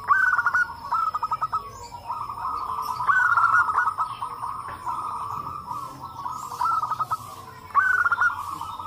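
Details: Many local zebra doves calling together in reply to each other, meant to draw other doves into calling: continuous overlapping pulsed cooing, broken by loud, clipped trilling bursts.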